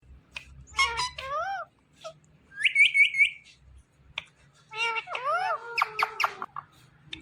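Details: Indian ringneck parakeet calling out its name Mithu, harmonic squawky syllables in short bursts with a rapid trilled run near the middle and a string of sharp repeated notes toward the end.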